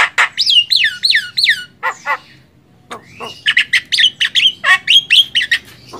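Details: Song of a Javan myna, jalak kebo, offered as a training master for songbirds; repeated slurred whistles drop in pitch, followed by a pause, then a fast run of harsh squawking notes and a rising whistle.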